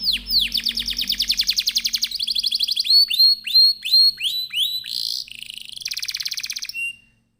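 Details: Lively canary song for getting other canaries to sing: a long rapid trill, a buzzy roll, a series of hooked whistled notes about every third of a second, then harsh buzz and a final trill.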